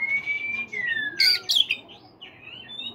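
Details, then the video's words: Oriental magpie-robin, caged, morning singing: a long, level then falling pure whistle, two loud harsh raspy bursts, then soft warbled whistles trailing off. "terapi kacer pagi hari PANCINGAN kacer biar cepat bunyi"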